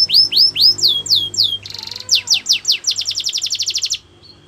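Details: Canary song for training: repeated slurred descending whistles, a brief buzzy roll, then quick sweeping notes speeding into a rapid high trill before stopping.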